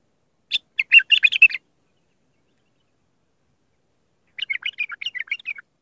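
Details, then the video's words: Raw Mandali-style song of an Iraqi bulbul, used to teach young bulbuls: two rapid, chattering warbled phrases of jumbled bright notes, separated by about three seconds of silence. "تغريد بلبل عراقي خام مندلاوي راقي ساعة كاملة التعليم افراخ البلابل"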